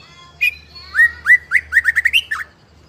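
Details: Young speckled-plumage white-rumped shama, a fighting-type bird, singing loud repeated upslurred whistles that speed up into a quick series, meant to provoke other shamas to sing.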